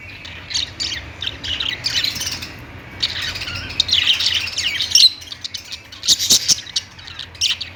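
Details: Flock of budgerigars keeps up a continuous high warbling chatter. Scratchy chirps swell and fade, with a few piercing squeaks, and a low background hum runs underneath.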